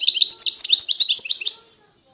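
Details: European goldfinch of the authentic Constantine type from eastern Algeria, singing a fast, unbroken twittering run of high, bright chirps and liquid notes, with sharp twangy accents, ending after about one and a half seconds.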